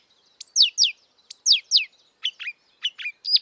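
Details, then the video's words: Marsh warbler song outdoors in the wild: paired, steeply falling whistled notes repeated twice, then lower, scratchier phrases. "kicauan merdu burung marsh warbler / kerak basi di alam bebas"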